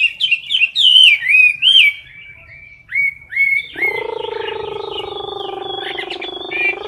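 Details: A caged Chinese hwamei sings in competition style at close range: bright, loud whistled notes sliding up and down, then rising repeated short whistles, joined halfway by a low steady droning tone beneath continued song.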